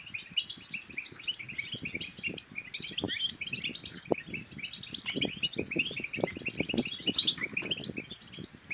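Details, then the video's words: Goldfinch singing to encourage silent goldfinches to sing and mate, a continuous bright twittering of quick chirps and short trills, busy and varied throughout, over soft low tapping and thuds. "بتبتات الحسون بتبتة تنطق اي حسون كان صامت سيغرد بتأكيد"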